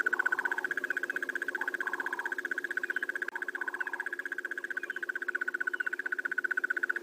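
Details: A Crested Barbet in the Sabi Sands, South Africa, on a September morning gives a long, even, rapid trill, a steady purring run of notes that never breaks. Short lower whistled notes from another bird come in now and then.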